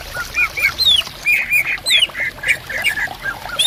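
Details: Several Greater green leafbirds answering each other in bamboo woodland beside a stream: lively slurred whistles, high sweeping glides and rolling chirps in a continuous, jumbled phrase, with water babbling underneath.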